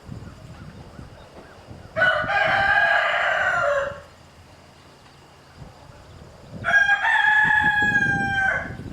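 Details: Chickens: a rooster bothering a hen with her chicks. Two long, rich crows of about two seconds each, spaced roughly five seconds apart, with low scratching and faint background noise between them.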